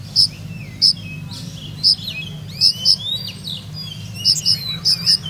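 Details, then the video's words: Olive-backed sunbird from Purworejo, Indonesia, singing in a rhythmic 'ngeroll nembak' style: sharp, piercing high notes, often in pairs, spaced irregularly, mixed with thin sliding whistles over a steady low hum. "Kolibri Ninja Purworejo Berirama Syahdu Ngeroll Nembak"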